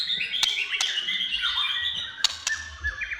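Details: White-rumped shama in gacor song: a dense, warbling run of mixed whistles and chatter, punctuated by several sharp tapping clicks.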